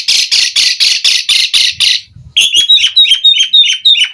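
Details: Asian pied starling singing energetically in full varied 'gacor full isian' style while pumping: a run of eight harsh, raspy bursts about every quarter second, then a series of short, clear, high whistled notes.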